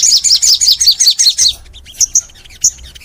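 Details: Crimson sunbird singing long and energetically in the full nembak style: a fast run of high, sharp chirped notes repeated about three times a second for 1.5 seconds, then scattered thin high whistles.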